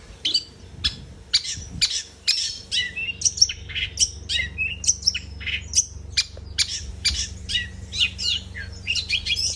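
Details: Steady long-tailed shrike song of crisp, high chirps and sharp whistled notes repeated in quick bursts, some trilled phrases, against a constant low background hum.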